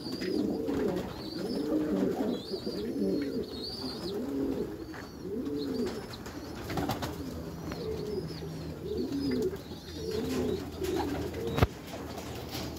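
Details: Caged Meulemans racing pigeons in a backyard loft repeat low bubbling coos roughly once a second, with faint higher squeaky notes, a hum partway through and a sharp click late on.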